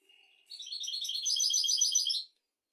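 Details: Singing goldfinch, a teaching recording for goldfinches and canaries: a soft thin note leads into nearly two seconds of fast, bright twittering trills.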